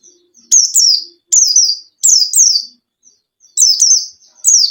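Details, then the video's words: Luring song of a white-eye for a lazy caged bird: shrill downslurred whistles in doubled phrases separated by short pauses, with a few faint soft notes between. "PANCINGAN PLECI MALES BUNYI | pleci bustomi gacor"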